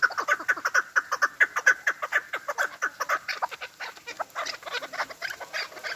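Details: Chukar partridge voice used by hunters, a rhythmic series of clucking chuck notes about twice a second that grows rougher and more crowded later.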